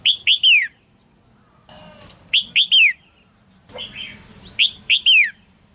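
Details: A caged female red-whiskered bulbul calls to prompt a young male to sing. Bright three-note phrases, two short chirps and a longer downward-slurred note, repeat about every two seconds, with soft rustling between them.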